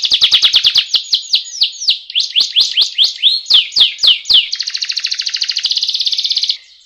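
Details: Canary training song for getting birds to sing: a fast series of falling notes several per second, slower swooping slurs, then a long even rolling trill lasting about two seconds.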